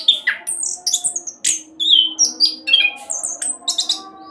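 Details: Orange-headed thrush rolling song meant as a lure for other birds: sharp high squeaky notes, downslurred whistles and scratchy bursts in quick succession, faint steady hum underneath.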